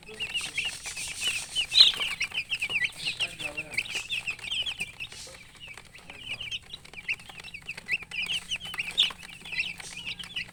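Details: Baby chicks chirping: high, short peeping notes in rapid bursts, with pauses between runs and some scattered clicks and rustling in the background.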